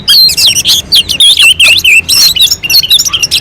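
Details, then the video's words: Orange-headed thrush, recorded on a mountain slope as a singing lure for other birds, pouring out rapid, rich whistled and warbled notes in dense bursts, wavering up and down with sharp high flicks over a faint low hum. "kicauan anis merah sangat merdu dan gacor untuk pancingan"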